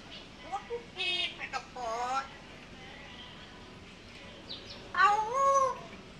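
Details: An African grey parrot talks as it dances and asks for food. Short babbling, speech-like phrases with bent harmonic notes give way to a louder drawn-out squawk near the end, over low room noise.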